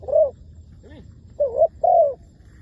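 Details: Decoy spotted dove in a trapping session: a single soft coo, then a brief faint higher note, followed by two more drawn-out hooting coos in close succession, against a quiet background.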